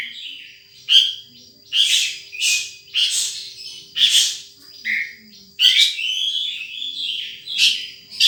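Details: Wild sunbird repeating sharp, high chirps roughly every second, each a short burst of twittery notes, ending in a longer warbled phrase.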